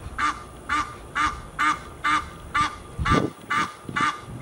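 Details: Honking geese recorded in Fort Lauderdale, Florida, USA: nasal, harsh honks repeated regularly about twice per second, with a brief low thump partway through.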